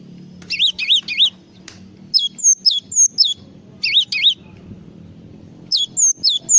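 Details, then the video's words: Java sparrow alternating quick wavering three-note whistled figures with sequences of short high notes that drop sharply, repeated several times with brief pauses, over a low murmur. "SUARA BURUNG GLATIK FULL ISIAN"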